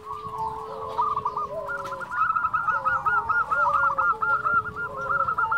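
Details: Champion local zebra dove in full voice among several others, continuous overlapping runs of quick rolling coo notes with lower drawn-out tones beneath, forming a dense chorus over faint background hiss.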